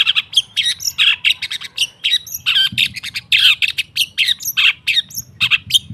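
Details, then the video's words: Long-tailed shrike song used as a training recording to prompt birds to sing: dense stream of harsh chattering notes and sharp downward whistles, loud and rapid, with a faint low hum underneath. "Suara TERAPI pancingan cendet /pentet macet total"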